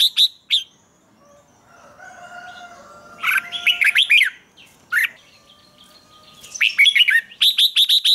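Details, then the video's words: Red-whiskered bulbul morning song for training: two sharp notes, a quiet pause, then loud warbled phrases and finally a rapid burst of clicking, ticking notes, with faint steady tones in the background. "Luyện chào mào hót sáng, QUÁ HAY - CHÉ KÍCH BỔI CĂNG ĐÉT, Cách luyện chào mào hót căng lửa"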